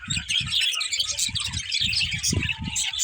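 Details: Budgerigars chattering with rapid high twittering notes, over a series of low rhythmic thuds or knocks.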